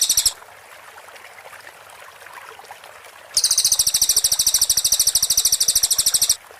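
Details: Cililin song in the close-set 'tembakan rapat' shooting style, a clear master recording for training white-rumped shamas: a short high burst, then after a quiet pause a dense, very fast buzzy trill of evenly repeated notes lasting about three seconds.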